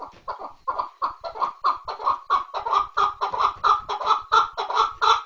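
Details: Chukar partridge calling: a steady run of harsh, clucking chuck notes about one and a half per second, starting softer and growing louder and clearer toward the end.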